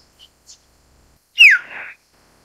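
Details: Common hill myna: two faint high chirps, then a loud, clear whistle sliding sharply downward into a harsh, buzzy rasp lasting about half a second.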